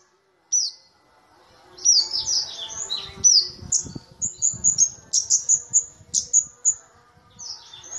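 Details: A small but loud cabe-cabean flowerpecker (kamade) sings a lively stream of high, thin chips and swooping slurred whistles that builds into rapidly repeated ringing notes, with faint low thumps in the background.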